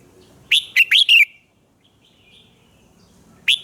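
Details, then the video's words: Red-whiskered bulbul morning song of the kind used to train birds to sing fiery: a lively run of four or five loud, rising and falling whistled notes, a pause with soft distant twitters, then one more bright note. "luyện giọng chào mào hót sáng - Hót hay nhanh lửa"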